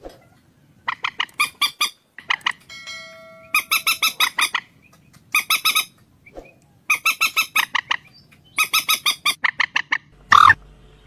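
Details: Common moorhen giving almost continuous runs of rapid, harsh, clucking squawks in bursts of four to seven notes with short gaps between. A brief steady tone is heard near three seconds, and a loud thump comes at the end.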